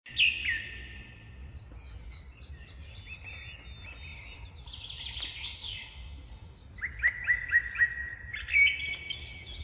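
Western bluebird giving soft chirps and a quick run of short, clear notes near the end, over steady background hiss with faint other bird calls.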